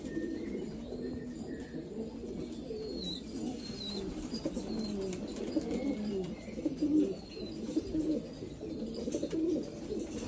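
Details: Several black Afghan pigeons in Afghanistan coo continuously in low rolling tones, rising somewhat louder toward the end, with faint distant high-pitched bird chirps throughout.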